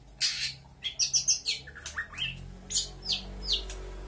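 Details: A local long-tailed shrike from Lampung runs through a quick medley of borrowed chirps, shrill whistles and buzzy notes, about three phrases per second and each different. It mimics birds such as magpie-robin, canary and prinia.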